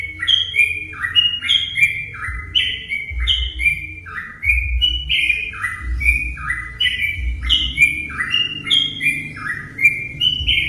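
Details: Sooty-headed bulbul song used as a lure to provoke other bulbuls to sing: dense, fluid whistled phrases of short notes stepping down and up, repeated almost without pause, over a steady low rumble.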